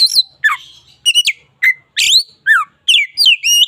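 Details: Oriental magpie-robin, a local bird in vigorous song, delivering about ten separate sweeping whistled and rasping notes, several falling steeply, each set apart by short silences.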